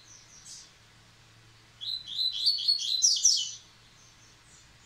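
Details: After moulting, a Yellow-bellied seedeater returns to song: a faint opening note, then a dense run of rapid, high, twittering and buzzy notes lasting about two seconds before it falls quiet.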